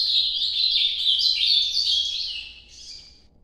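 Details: Ultramarine grosbeak singing the Nordeste-style song, called noturno: one continuous warbled phrase of rapid high notes, bright at first, then fading and trailing off softly near the end.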